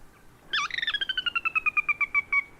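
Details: A Sora, a secretive marsh bird of wetlands with emergent vegetation, gives its descending horse-like whinny: a rapid run of about fifteen clear, high whistled notes that speeds up and slides steadily downward in pitch.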